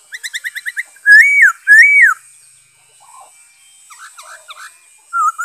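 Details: Song of a black-throated laughingthrush, 5 May 2021: a quick run of about seven short, even notes, then two loud arching whistles that rise and drop, followed by softer scattered notes and a final level whistle.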